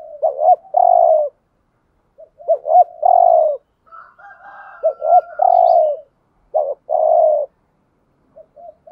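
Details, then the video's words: Spotted dove decoy calling to attract others with urging 'gù thúc' coos; stuttering notes leading into long low coos, repeated about every two seconds, a thin higher wavering note in the middle. "Chim cu mồi gáy giọng bài bản/ tiếng chim cu cườm mồi gù thúc. chim cu đất thúc gù giọng nghe giền"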